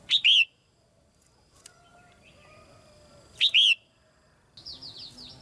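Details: Female red-whiskered bulbul in a cage, singing so that newly grown birds will sing more; two quick liquid phrases, each a short note followed by a longer wavering one, then a series of high chirps from another bird close by.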